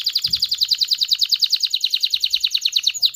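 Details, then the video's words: Excited canary song used to prompt males and females toward mating: a steady fast trill of about twelve high notes per second, each note a quick descending sweep. "تغريد كناري لتدريب ذكور واناث الكناري على التزاوج. صوت كناري لتزوج .. Canary singing"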